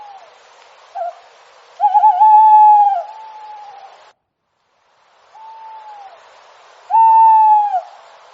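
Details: Night-time forest owl giving a short soft note, then a long steady hooted note with a wavering start. After a silent gap come a fainter hoot and then a loud, level, clear hoot of about one second.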